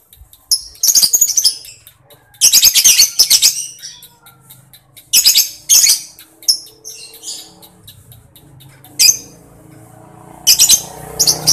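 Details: Lovebird delivering repeated bursts of harsh, buzzy chatter and quick ticks, with pauses between phrases and a soft low hum underneath.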